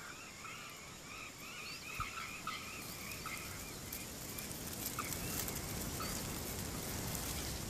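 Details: A swallow-tailed kite in Brazil gives a quick series of thin, high twittering whistles, about three notes a second, fading out under a rising roar of wind.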